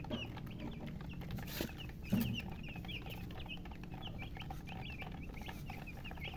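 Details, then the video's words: Thirsty baby chickens, coloured poultry chicks, utter a run of short high peeps in steady succession, interrupted by two sharp knocks near the start, above a low mechanical hum. "Murgi chicks Chirping sounds with thirst for drink water"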